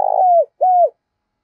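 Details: Close spotted dove challenge coo for drawing decoy birds into calling: the tail of a rolling purred coo easing into a falling whistle, a short gap, then one arched, level-then-dropping coo.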